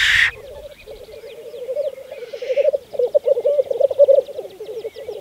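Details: Black grouse males bubbling at a lek in spring 2014 on Saaremaa, Estonia: a low burbling rumble that grows louder and more pulsing toward the end, after a sharp hiss at the start.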